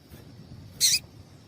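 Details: Female papa-capim seedeater giving one short, high, buzzy chirp intended to excite males, set against low continuous background noise.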